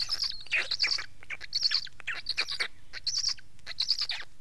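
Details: Black stork giving harsh, wheezy bursts in uneven succession, several short rasps running together over a few seconds.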